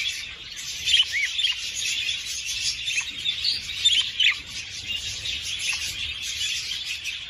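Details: Budgerigar chatter used to stimulate breeding: softer continuous twitter with a few brighter warbled bursts and short chirps repeated at uneven intervals.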